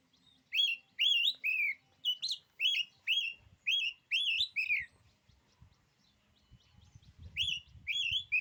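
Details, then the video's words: Oriental magpie-robin singing a quick series of loud, slurred whistled notes, about two per second, pausing briefly before resuming, with faint low rustling noise underneath. "kicauan kacer ini, bikin nyali kacer lain jadi ciut."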